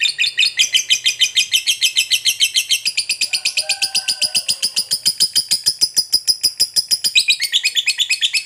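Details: Long ngekek chatter from a fighter lovebird, used to goad other lovebirds to reply: a sustained, shrill stream of rapid pulsed chirps around six per second. Its pitch dips briefly midway, and faint lower tones sound underneath.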